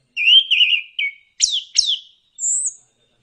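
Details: Orange-headed thrush (anis kembang) song in the ngeplong style, used as a lure to prompt kept birds to sing: clear whistled phrases, wavering and slurred, then two sharp downslurred notes and a high thin whistle, separated by short pauses.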